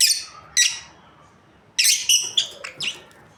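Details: Lovebirds from a breeding pair calling in a rapid jumble: two harsh chirps, a pause, then a quick burst of five or six squeaky, shrill notes of varying pitch.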